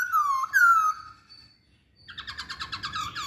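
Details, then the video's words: Masked laughingthrush giving two long, slurred whistles that fall in pitch. After a short silence comes a rapid, chattering series of rhythmic notes. "Kicauan Poksay Hongkong"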